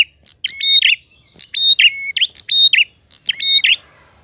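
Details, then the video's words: Prinia singing in the lively, flowing style called gacor ngalun with a clear voice: roughly once a second comes a phrase of short chips, a flat steady whistle, a higher pure note and a wavering falling trill, against near silence. "Prenjak Gacor Ngalun. Suara jernih."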